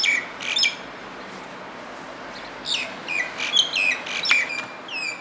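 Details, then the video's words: Common myna in song, mixing rasping bursts with clear descending whistles in an irregular chatter, several notes close together near the end, with a soft steady hiss behind. "Common Myna (Acridotheres Tristis) sings"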